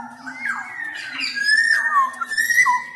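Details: Black-naped oriole (kepodang emas), sung vigorously for tutoring and prompting silent orioles: a continuous run of mellow, gliding whistles rising and falling, with a faint low tone underneath.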